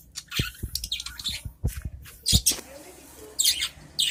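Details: Adult budgerigars in a cage calling to each other with high, raspy chirps, mixed with repeated low clicks and taps from the enclosure.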